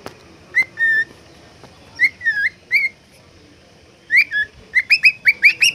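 A cockatiel sings a string of clear, bright whistles, some rising and some swooping, with short pauses between.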